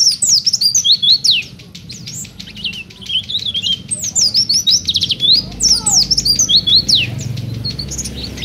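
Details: Energetic ngeplong song of an Oriental white-eye: long chains of shrill, fast-warbled chirps and sliding whistles pouring out for over eight seconds with short breaks, a soft low rumble underneath.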